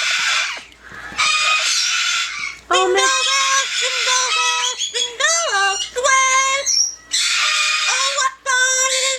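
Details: Yellow-naped amazon, a pet bird, talking and singing: a rapid string of speech-like syllables with rising and falling tones, mixed with high squeals and a few raspy notes, delivered in quick bursts.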